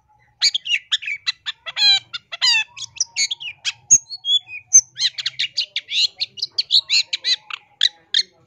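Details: Long-tailed shrike training song full of varied phrases, used to lure birds: a rapid, continuous medley of squeaky chirps, rattling notes and a few thin whistles, steady and bright throughout.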